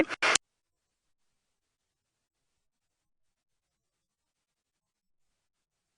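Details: Two brief scratchy bursts at the very start give way to complete silence for the rest.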